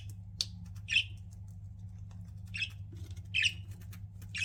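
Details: Pet budgies giving a few short, sharp squawky chirps spaced about a second apart, separated by quiet gaps, over a steady low electrical hum.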